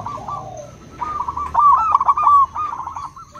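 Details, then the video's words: Local and crossbred zebra doves answering each other: soft, high cooing phrases of quick stuttering notes, with a brief low lead-in and then a louder rolling run in the middle. "Perkutut lokal dan crossing pasti nyaut!! Suara perkutut pulen"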